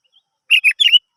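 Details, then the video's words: Sooty-headed bulbul song used as a lure to prompt other birds to sing: three quick bubbly, slurred whistled notes around mid-high pitch in under half a second, otherwise quiet. "Pancingan Burung kutilang"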